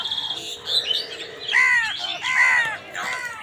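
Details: Crows fighting with other wild birds over food give three harsh, arching caws, roughly one per second, after a burst of higher, thinner chirps from the other birds.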